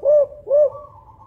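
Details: Spotted dove of the Songgo Ratu five-note 'kuk 5' type, a loud, big-voiced bird used as a lure for other doves, giving two deep, rounded, slightly rising-then-falling coos about half a second apart against a quiet background.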